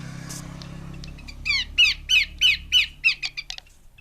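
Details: Female Horsfield's babbler calling: around ten rough, descending notes delivered quickly and evenly, fading toward the end over faint low background hum.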